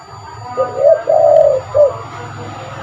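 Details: Spotted dove used as a lure bird, calling one low, mellow three-note phrase: a brief opening coo, a drawn-out rolling coo and a short final coo, over a low rumbling background.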